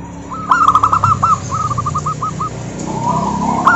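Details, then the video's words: Local zebra dove singing, meant to prompt other doves to sing: a burst of rolling trilled coos, then a softer descending series, over a steady background hum. "Suara Burung Perkutut Lokal Gacor OBAT MACET BUNYI, pancingan perkutut agar bunyi jamin NYAUT EMOSI"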